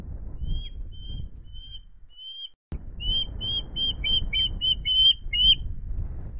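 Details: Osprey at a nest at Loch Garten, Scotland, male and female pair, early September: a series of short high whistled chirps, evenly spaced at first, then quicker and overlapping, with a soft low rumble underneath.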